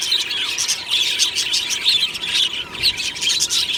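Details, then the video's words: Morning chorus of a budgie aviary colony: busy overlapping high chirps and twittering warbles, about two bursts a second, with a thin background hum. "Beautiful Budgie morning happy singing and chirping sounds"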